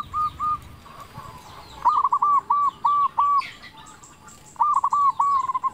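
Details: Local zebra dove singing loudly, used as a lure for other zebra doves: clipped repeated coos at a steady pitch in rhythmic runs, a pause, then another run, over a hissy background with other faint bird calls.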